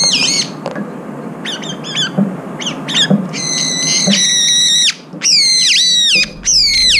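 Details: Brown-eared bulbuls jostling over food, one of them with an injured left foot. Short chipping notes give way to long loud shrieking squawks, flat then bending downward, repeated in quick succession.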